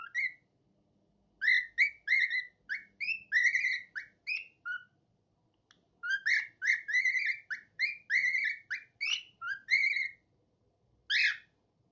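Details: A small grey cockatiel, a parrot that loves to sing, sings a quick run of bright whistled notes, many rising or bending in pitch.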